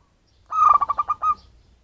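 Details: Zebra dove, local and of wild origin, used as a lure for birds: one crisp phrase of about seven quick rhythmic cooing pulses, steady in pitch, the last note held slightly longer, in quiet surroundings.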